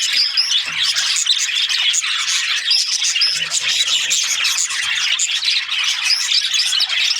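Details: Australian budgies chirping, a dense continuous chatter of high squeaky chirps and warbles from many birds, with no pauses.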